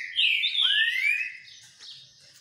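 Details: ['Green-winged saltator singing while sunbathing: a loud, clear whistled phrase with a strong note around the middle, a dipping then rising slur, and softer fading notes after, in an otherwise quiet setting.']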